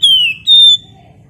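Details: Two sustained whistles from a Flamboyan bird singing in nyiul style as a lure: the first sliding gently downward, the second steady and high, followed by a fainter low note and a quiet hum.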